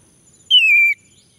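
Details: Male orange-headed thrush, prompted to sing: a single clear whistle lasting about half a second, sliding slowly downward and ending in a short dip.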